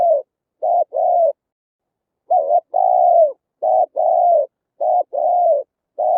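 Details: Spotted dove full cooing song used on a speaker to lure wild birds: repeated paired phrases, each a short coo then a longer sustained low coo, about one phrase every second or so.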